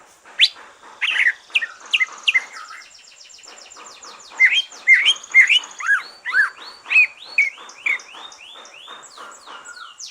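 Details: Relaxed song of a green leafbird after its moult, meant to stimulate other leafbirds into singing: chirps and a fast buzzy trill give way to a long string of repeated looping whistled phrases, roughly two a second.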